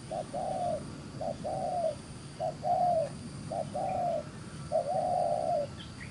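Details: Rapid 'gù xiết' cooing from a wild-caught spotted dove with attractive neck spots; short soft note then a longer level-to-falling coo, five pairs in six seconds, low-pitched background rumble throughout.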